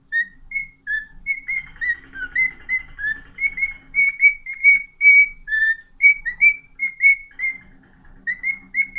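A cockatiel whistles a lively string of clear, rising and falling notes.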